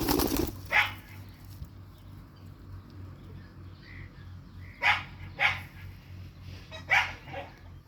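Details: Fighting Indian ringneck parakeets giving scratchy, grating squawks at irregular gaps, a close pair near the end, after a loud thump at the start; a low hum runs underneath.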